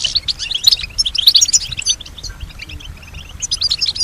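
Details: Female European goldfinch singing in response to surrounding sounds: scattered high twittering notes and short chirps, bursts around the start and middle, sparser later, with faint low background noise.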